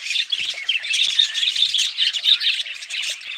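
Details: Loud budgerigar chatter packed with shrill squawks and rapid chirping, with several birds calling over one another without a break.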